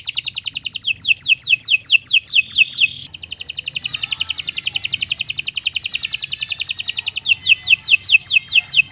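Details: Domestic canary in full, lengthy song meant for training other birds: a run of quick descending whistles, then an extended rapid buzzy trill, returning to the falling whistled notes at the end.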